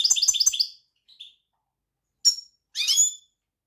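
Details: European goldfinch opens with a fast rattling trill of repeated notes, then a soft note and two separate liquid twittering calls after a short silence.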